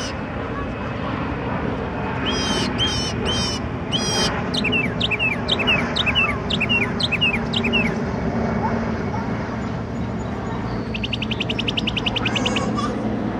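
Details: Night-singing songbird with a wide repertoire. It gives clusters of swooping whistled notes and downslurred phrases, then ends on a rapid high buzzy trill, against constant low background noise.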